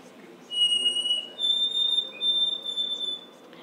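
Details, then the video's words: White-throated Sparrow song played over speakers in a quiet room: a pure whistled note, then a higher held whistle broken into a few short repeats. It is a song heard early in the morning in New Jersey. "Okay, so that's the white-throated sparrow, and every time I hear it early in the morning, it just makes me feel happy"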